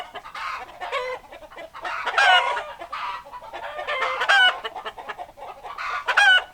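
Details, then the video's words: Roosters crowing amid hens clucking, long rising-and-falling harmonic crows about every two seconds layered over continuous busy clucks. "Chicken Sounds Noises Hens Clucking Roosters Crowing"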